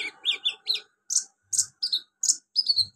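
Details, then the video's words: Kolibri ninja sunbird delivering a mimic-filled song with copied cricket, golden grasshopper, chick and cililin sounds; rapid high squeaky chips repeated about twice a second with sharp piercing notes. "KONIN BANYAK ISIAN CILILIN, JANGKRIK, BELALANG EMAS, ANAK AYAM"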